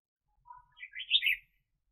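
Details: Red-whiskered bulbul serving as a trapping decoy, delivering one quick, lively phrase of rising and falling chirped notes, preceded by a soft lower note.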